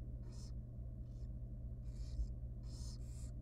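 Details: Young wild barn owl baby at feeding time in a monitored nest box, producing breathy hissing shrieks, some doubled, bunched toward the end, against a steady low-pitched hum.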